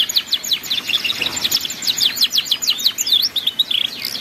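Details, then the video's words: Ngeriwik canary song meant as a master for young canaries learning to sing: a rapid, energetic string of high sharp chirps and twittering slurs, steady and dense from start to finish. "MASTERAN BURUNG KENARI PAUD BELAJAR BUNYI NGERIWIK"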